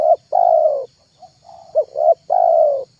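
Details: Spotted dove call used for luring other doves: a long mellow coo, a quiet pause, then clipped short notes leading into another drawn-out, gently descending coo, with a faint hum underneath.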